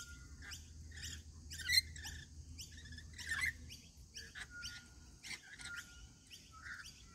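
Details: Several Rainbow Lorikeets at a daily feeding give harsh, shrill screeches and squawks, short overlapping bursts at an uneven pace, with a faint low rumble early on.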